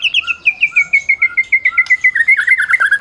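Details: Caged White-rumped shama of the Medan type, a prize-winning singer, used as a master song to provoke silent shamas into singing; a rapid run of clear whistled notes slowly falling in pitch, repeated many times a second, ending in richer warbles.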